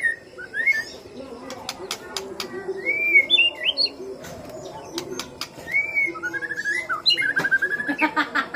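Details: White-rumped shama song used as a lure track: varied clear whistled phrases, some rising, some slurred and warbled, in bursts across the clip, with sharp clicking taps and a steady low hum behind.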